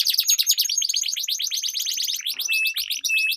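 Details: Canary song from a two-bird duel of long rolls, meant to stimulate silent competition canaries. A rapid chattering trill runs for two seconds, then shifts to steady repeated whistled notes.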